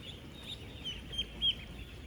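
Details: Ducklings ten days old among 16,000 on a duck farm: several clear, high, thin peeps rising to prominence, the loudest near the end, over a softer chorus of peeping.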